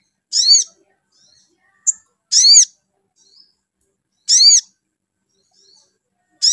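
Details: Provoking call of a spiderhunter, played so a bird answers with song: regular rasping, harmonic bursts about every two seconds, four in a row, with short sharp ticks and quiet soft chirps in the gaps.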